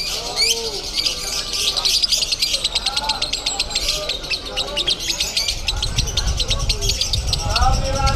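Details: Lovebird singing in konslet style at a Bandung singing contest, with fast, shrill chirp bursts running almost nonstop, while people talk in the background and other contest noise fills the scene.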